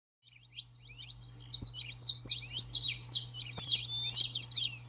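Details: Saffron finch song used to train and excite a pet bird: fast series of high, sharp chirps and twittered notes that build in loudness, over a constant low hum with occasional clicks.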